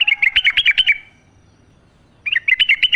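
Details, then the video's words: Sooty-headed bulbul singing in the wild, natural sound used to prompt captive bulbuls to sing: a quick run of bright chattering notes, a second of silence, then another fast bubbly phrase. "trucuk gacor ngalas full suara alam"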